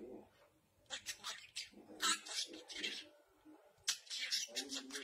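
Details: Pet parrot imitating someone praying: raspy, voice-like syllables in short bursts, with hissy breaths and pauses between phrases, indoors.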